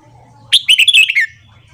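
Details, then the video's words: Morning song of a Red-whiskered bulbul, played for training other birds: one brisk phrase of five or six rich, rolling whistled notes dropping slightly in pitch, over a faint low hum. "Luyện Giọng Chào Mào Hót Sáng"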